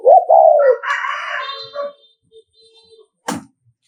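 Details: Spotted dove of the Nghệ An type giving a 'thúc gù' coo used to provoke and lure rival males: two low, rounded, arched coo notes, followed by a harsher, brighter drawn-out sound and a sharp click near the end.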